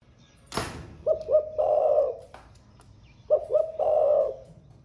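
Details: Caged spotted dove singing in the Vietnamese thổ pha voice style; it has newly begun singing and sings all day. Two phrases, each made of two short low hoots followed by a longer rolling coo. One sharp knock is heard before the first phrase.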